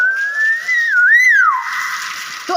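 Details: Hill myna, kept by people who urge it on, giving a long clear whistle that climbs slowly, dips, then swoops up and falls away over about a second and a half, with speech just before and after.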